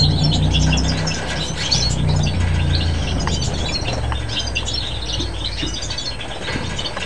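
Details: A flock of bramblings on Chios, Greece, in winter gives a busy scatter of short, high chirps and chips, several a second, over a steady low rumble of wind or a distant engine.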